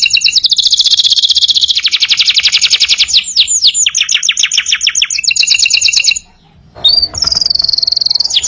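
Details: Canary singing loudly in full song, used as a master recording for training other birds; rapid high trills of repeated notes, sweeping slurred whistles, a brief pause, then a sustained high rolling trill.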